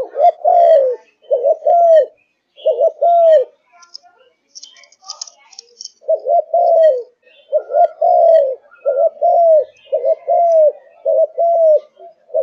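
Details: Kept Malaysian spotted dove in full singing form, cooing from morning to night: mellow low coos in phrases of a short double note then a longer arched coo, repeated with a brief pause near the middle, faint higher chirps behind.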